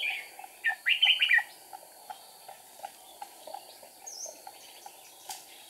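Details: Red-whiskered bulbul decoy in a trap on 8 April 2019, flicking wings and tail: one brief bright phrase of rapid rising and falling whistled notes, then mostly soft ticking and faint scattered chirps.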